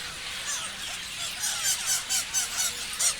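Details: Parrots chirping: a busy chorus of high squeaky notes, with louder shrill calls pulsing out roughly every quarter second over the continuous chatter.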